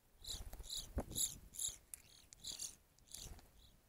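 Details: Evening grosbeaks at a feeder calling in a rapid, uneven run of short, loud, ringing high notes, roughly two per second, with faint low knocks beneath.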